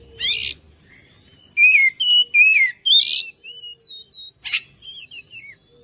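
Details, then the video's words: Oriental magpie-robin singing to draw other birds into song: a harsh buzzy burst, then clear slurred whistles falling and rising, followed by softer thin whistled notes and another sharp burst. "PANCINGAN KACER ANTI BISU DI JAMIN CEPAT RESPON GACOR"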